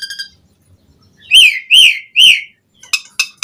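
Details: Captive-training recording of an Asian pied starling: faint high chirps, then three loud, evenly spaced downslurred whistles, followed by short clipped squeaky notes.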